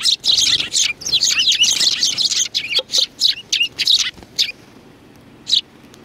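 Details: Sparrows chattering together on 2 January 2019: a dense, overlapping flurry of loud, shrill chirps for four seconds, then quiet except for one last chirp.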